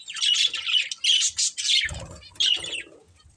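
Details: Breeding pair of budgerigars chattering in loud buzzy warbles and chirps, with a low rustling thump partway through.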